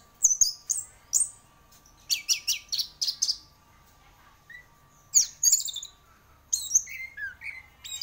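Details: Orange-headed thrush (anis merah), described as a champion bird in full song: bursts of high whistled and chattering notes grouped in short phrases, separated by pauses of about a second, with a faint steady hum underneath.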